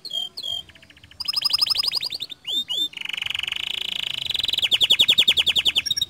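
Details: Canary song played to trigger singing in other canaries: a few whistled slurs, then a fast bright trill, two swooping notes, and a long sustained buzzing roll breaking into quick repeated notes.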